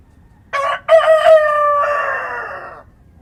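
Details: Rooster at dawn amid countryside ambience. It gives a full crow: a short opening note, a gap, then a strong, buzzy, sustained call that shifts tone partway through and ends abruptly after about two seconds.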